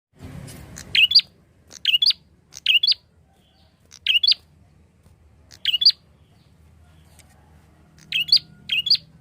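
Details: Prinia call used as a lure for mixed flocks of other birds: short, sharp chirped phrases of two or three quick notes, repeated about every one to one and a half seconds, with a faint low hum beneath.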